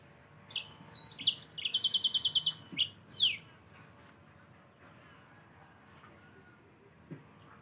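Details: Lively yellow-fronted canary song for use in training songbirds: downslurred whistles lead into a fast, regular trill of bright repeated notes, ending with two falling slurs, then near silence with a faint tap.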